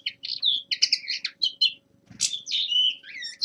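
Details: Young male common linnet practising its winter song: a string of short clipped chirps and twangy notes, a brief gap, then a rushing buzzy note and sliding whistles, with a faint low hum and a soft knock.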